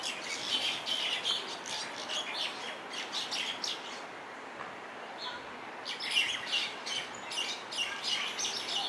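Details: On a hotel lawn on the Big Island of Hawai'i, introduced common mynas wrestle and tussle, giving harsh, grating squawks and chattering bursts in rapid volleys, with a brief lull midway before the scolding flares up again.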